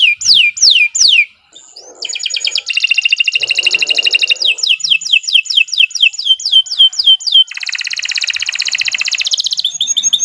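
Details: Canary song for training other birds, full of rapid varied phrases: bright downward-sweeping whistles, then long fast buzzy trills and rattling strings of repeated notes, loud and continuous.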